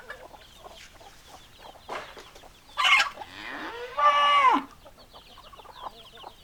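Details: Rooster crow, loud and close: a short harsh burst, then a strong harmonic note that holds level and falls away at the end, over quiet background chirps and clucks.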